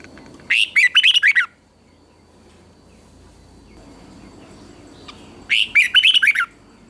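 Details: Caged red-whiskered bulbul singing in competition style, used to train birds: two short bursts of rich, warbling whistled notes about five seconds apart, separated by a faint steady hum.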